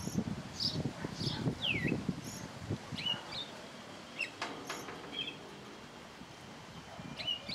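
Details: A thrush sings during its singing hour: a sequence of high whistles and a falling slurred note, with low rustling and knocking noises in the first seconds.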